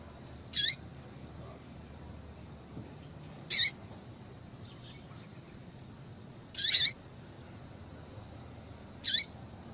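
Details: Female yellow-bellied seedeater calling to stimulate males; four high, sharp chirps spaced roughly three seconds apart, the third slightly longer, with a faint softer note between and low background hiss.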